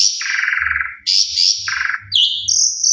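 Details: Jalak suren (Javan pied starling) in a varied lure song for sulking birds: a buzzy falling trill, bright high whistled slurs, then a low rattling phrase and sharp rising whistles, over a faint low electrical hum.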